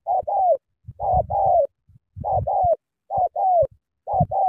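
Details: Strong sắm thổ-style cooing from a spotted dove in Cà Mau, with paired round coos, the second note longer and sliding down, coming about once a second over soft low thuds.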